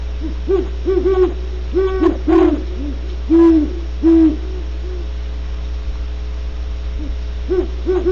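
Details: Great horned owls at Starr Ranch, California, hoot deep, soft, muffled notes in uneven runs of two to four, over a steady low electrical hum.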